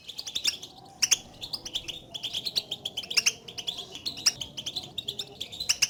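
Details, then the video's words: European goldfinch calling to others of its kind, a sound said to excite a lone caged goldfinch into singing; short high tinkling call groups repeat steadily about every half second throughout. "البتبتات لأخراج حسونك من صمته"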